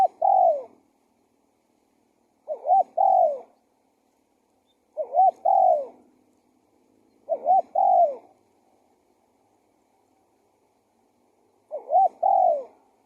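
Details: Five cooing phrases of a spotted dove, used as a decoy to attract wild doves, arrive at irregular intervals of two to three seconds; each has a brief looping note and a longer downward-sliding coo over a faint low hum.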